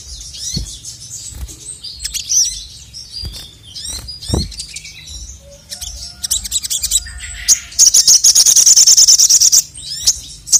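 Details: Male sogon, the crested jay, whose sound is said to provoke rival birds: varied high chirps and sharp downswept notes, then a loud, even buzzing rattle of about two seconds.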